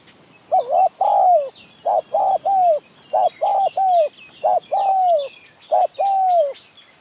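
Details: Spotted doves, a decoy and a wild bird, calling against each other during decoy trapping in mountain forest, Si Sawat district, Kanchanaburi; repeated soft hollow coos in short groups of two or three, each note arching then dropping.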